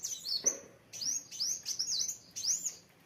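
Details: Vigorous gacor singing from a kolibri wulung sunbird: sharp, very high looping squeaks repeated in tight clusters, each phrase a bright up-and-down sweep, delivered almost without break.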